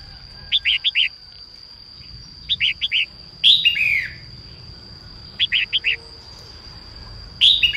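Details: Female red-whiskered bulbul singing in the morning to get males singing: repeated bursts of three quick rising chirps interspersed with a loud, sweeping falling phrase, against a constant faint high-pitched hum.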